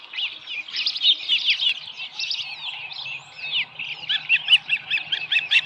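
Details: Osprey at its nest with a small live fish, recorded 13 July 2018 around 7:10 in the morning; series of high, sharp whistled chirps, uneven at first, then a faster, steady run of clipped notes near the end.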